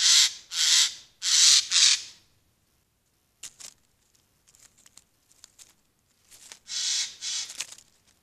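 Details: A Eurasian jay in the Eifel, Germany, gives harsh, rasping screeches in a quick run of three, then faint ticking sounds, then another burst of three loud screeches.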